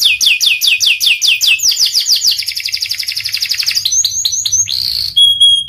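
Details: Panda canary singing vigorously: rapid repeated downslurred whistled notes forming a fast trill, shifting into quicker buzzy rolls, then short clipped notes and a final pure sustained whistle.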